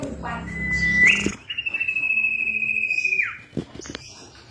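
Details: Female common iora calling a male, used as a lure: a long, steady whistled note held for nearly two seconds, then dropping sharply at the end, preceded by a shorter lower whistle and brief human voice sounds.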